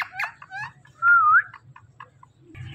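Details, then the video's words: Pet talking Indian ringneck parakeet imitating speech: a few clipped, voice-like harmonic syllables, then a loud warbling whistle, followed by soft ticking clicks and a burst of noise at the end. "Indian Ringneck Talking Parrot"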